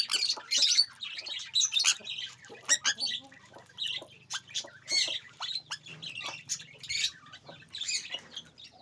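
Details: Sun conure (Aratinga solstitialis), squawks.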